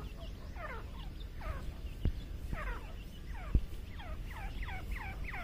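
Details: Grey francolin in jungle giving repeated falling, slurred notes in quick bursts, with a few sharp clicks and knocks and a constant low background rumble.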